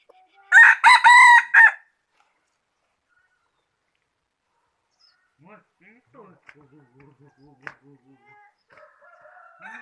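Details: Rooster crowing: one loud, harsh, strongly harmonic crow in several choppy pulses lasting just over a second, followed by near silence with faint scattered voices and small knocks.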